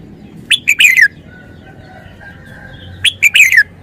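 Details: Two bright, loud song phrases from a caged red-whiskered bulbul in wild-song style (phleng pa), each a rapid run of three or four liquid notes with a falling end, two and a half seconds apart.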